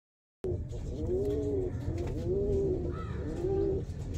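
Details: Fancy pigeon in Saharsa, Bihar, India, giving three soft, low, rounded coos, each about half a second long and spaced about a second apart, over steady low background noise.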